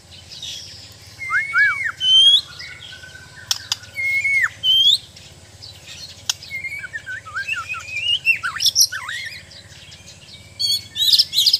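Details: Bornean white-rumped shama in training giving spaced song phrases of high clear whistles that drop and bend. Brief silences fall between phrases, and a short scratchy flourish comes near the end.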